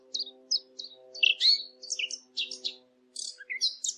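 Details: Birds chirping: rapid high twittering notes and short downslurred chips, with one brighter whistled note, over a steady low humming tone.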